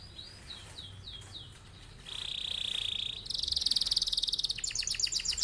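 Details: Canary singing a long rolling song meant to train other birds: a few arched whistles, a steady buzzy tone, then a loud dense rattling roll and rapid high notes.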